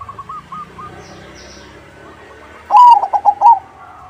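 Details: Zebra dove of crossbred stock in full song, played to draw replies from other doves. A short run of faint distant coos comes first, then one strong phrase of quick, pulsing, slightly trilled coos near the end.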